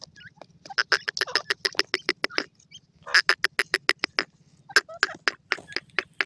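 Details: Grey francolin (grey teetar) giving a loud, ringing series of clipped notes. The notes repeat quickly at a steady, driving pace, with brief pauses between bursts and a faint low hum underneath.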